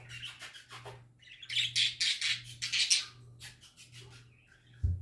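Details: Happy pet parakeets singing: bursts of busy, scratchy chirps and warbled twitters, loudest in the middle seconds, over a steady low electrical hum, ending with a short thump.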